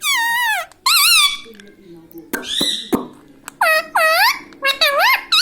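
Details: Talking pet parrot mimicking words such as mummy and papa indoors: a string of loud, nasal, speech-like syllables with wavering pitch, some long and bending, others short and clipped, with quiet gaps between.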